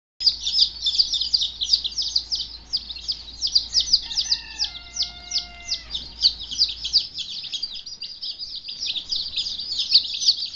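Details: Two-day-old Turken (naked neck) chicks on a farm, recorded in February 2010: a dense chorus of high, rapid peeps, about three per second, continuing throughout, with a brief steady tonal whine in the middle.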